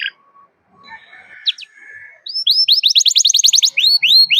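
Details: Canary calling a rival with cuit cuit song, used to train learning canaries; quiet faint notes at first, then a loud rapid series of repeated curved chirps and falling whistles.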